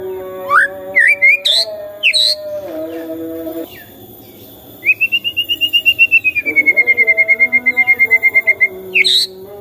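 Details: Shama singing as a morning lure to get a silent bird calling. Bright slurred whistles and sharp high notes come first, then after a pause a long, even, rapidly pulsed trill that slowly drops in pitch.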